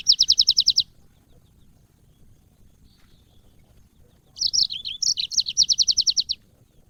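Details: Training song of a yellow-fronted canary, an African Mozambique bird kept in cages: a quick series of identical high notes, a long pause, then a twisting warble closing in an even, rapid trill.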